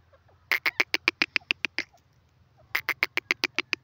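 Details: Female grey francolin, locally teetar, calling: two bursts of loud, harsh, evenly spaced notes given in rapid series, about ten notes each, separated by a pause of nearly a second; quiet background.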